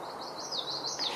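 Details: Rose-breasted Grosbeak on 21 May giving a brief, sweet warble of quick rising and falling slurred notes, smooth and robin-like, over a steady background hiss.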